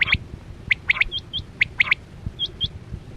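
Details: A quail lure call during a quail hunt: crisp paired and tripled whistled notes, then thinner high pips, repeated irregularly about once a second, with faint low knocks.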